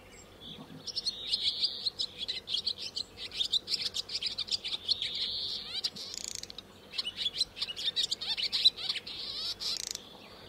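Swallow song: a fast, busy twittering of high chirps and short warbles, with a few quick rising and falling slurred notes, nearly continuous throughout.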